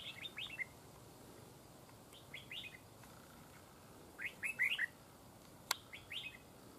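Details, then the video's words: Wild red-whiskered bulbul at a decoy fighting trap, chasing and fighting a trapped rival. Quick bursts of bright, chattering chirps come in four short groups, each a few seconds apart, with one sharp click near the end. "Bẫy Đấu Chào Mào"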